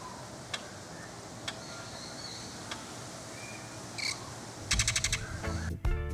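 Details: Greater Antillean Grackle in Jamaica, a loud species: a burst of harsh, rapid metallic clacks, then a squeaky, rasping note, after soft background music and a few faint chirps.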